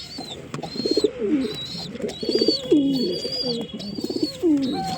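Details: Pigeons coo in low gurgling phrases, several ending in a descending slur, while long high whistles sound intermittently behind them.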